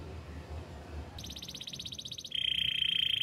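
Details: Canary song fragment: after faint low background, a fast pulsed high trill begins, then switches to a lower, louder steady rolling trill.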